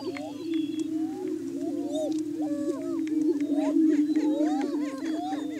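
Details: Greater prairie chickens in courtship display on a lek, a hilltop booming ground in Washington County, Kansas, in the morning to establish breeding territory; a steady low hollow booming drone from several birds, overlaid with rising whooping and cackling calls.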